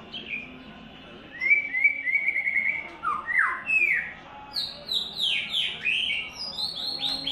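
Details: White-rumped shama in third molt singing in the "Imagine" style: a pulsed level whistle, deep swooping slurs, then a rapid cascade of high falling notes repeated quickly to the end.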